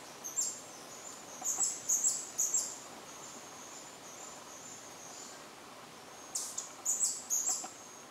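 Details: A White-bellied Emerald sings from a perch at BFREE, Belize, on 6 February 2013: two bursts of very high, thin, squeaky chips separated by a few seconds' pause over a soft background hiss.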